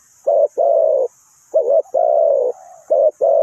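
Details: Spotted dove used as a decoy bird for trapping, giving low, hoarse, drawn-out cooing notes in uneven phrases, some short and some long, with a faint high hiss behind.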